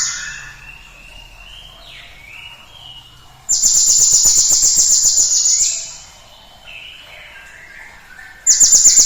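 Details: Cinereous tit song played as a lure to get other birds singing. Fainter lower whistles and slides open the clip, then two bursts of intense, very high, fast-repeated buzzy notes follow, the first about two seconds long.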